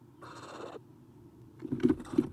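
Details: One of three Eastern screech owl owlets in a nest box, 30 April 2016, 9:54 am, as an adult departs: a single short, hoarse hissing rasp, then loud thumps and scuffling inside the box over low electrical hum.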